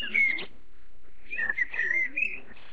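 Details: Chinese blackbird (Turdus mandarinus) chicks being fed by a parent give squeaky, wavering begging calls in two bursts, a short one and then a longer, more insistent run.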